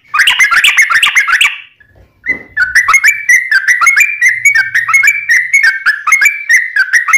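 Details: Yellow-vented bulbul opening with a dense chattering burst, then after a short pause a long even series of liquid dipping notes; a faint low hum appears midway.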